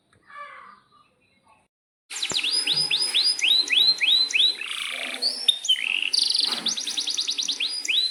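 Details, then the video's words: Canary singing an excited, long rolling song used to coax other canaries into song. A brief faint chirp comes first, then a silence. After that, loud runs of rising swept notes repeat about three times a second between dense buzzy trills. "suara kenari gacor panjang AMPUH,, PANCINGAN KENARI AGAR BUNYI"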